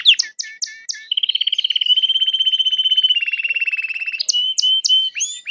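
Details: A red Belgian canary sings a bright long phrase: a few sharp chirps, then a rapid trill held for about three seconds, ending in more quick high notes. No other sounds.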